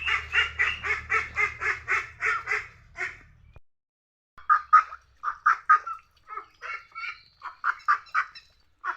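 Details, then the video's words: Duck quacks: a quick string of about ten harsh, nasal calls over a low hum, a short silence, then looser, uneven quacks of varying strength without the background hum. "Funny Duck Sounds: Quack Quack Moments"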